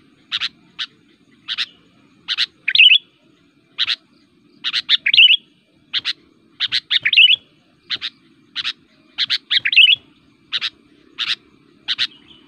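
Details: Sooty-headed bulbul, called kutilang, a lively fighting song meant to provoke rival bulbuls, used as a lure in forest and for tutoring: short sharp broadband chips repeated irregularly, some ending in bubbly warbled flourishes, faint low hum beneath.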